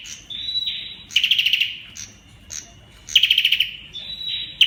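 An olive-backed tailorbird sings a high, steady whistle, then a loud, rapid machine-gun rattle. The phrase repeats about every two seconds over a quiet background.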